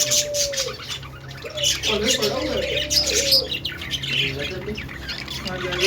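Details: Budgerigar singing, a dense stream of high buzzy chirps and scratchy warbles, with a lower wavering tonal warble and a steady low hum underneath.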